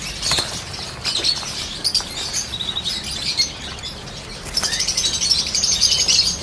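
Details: Peach-faced lovebirds, yellow birds among them, give rapid irregular squeaky chirps about four per second, quieter midway and then a loud dense burst of shrill tweets near the end.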